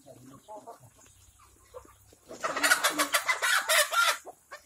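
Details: Black Kadaknath chicken, raised organically without chemicals, antibiotics or packet feed on a farm in Cuttack, Odisha, India; a loud burst of harsh, rapid squawks for about two seconds follows quieter murmuring voices.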